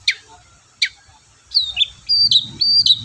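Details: Vigorously singing Long-tailed shrike, meant to stir silent shrikes into song: two sharp harsh notes, then a string of sliding high whistles that dip and rise, with a low rumbling background.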